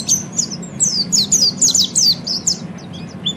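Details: Ngeriwik song of an Oriental white-eye, meant to train caged birds: quick series of sharp, high, downslurred chirps, about three a second, bright and twittering, with a constant low background hum.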